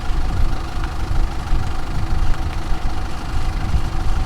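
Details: Steady low engine-like rumble with knocking pulses fills the recording, and no animal calls stand out.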